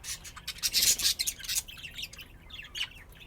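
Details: Budgerigars at play, tagged Austin, Texas, chattering busily: a loud raspy, scratchy burst early on, then softer twittering warbles and squeaky chirps that trail off toward the end.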